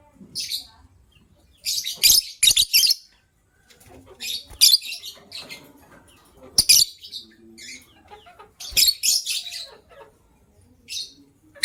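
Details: Morning chirping of caged gray and yellow-green lovebirds, one preparing to lay eggs: shrill, buzzy chirp clusters repeated every two seconds or so, separated by quiet gaps and soft rustling.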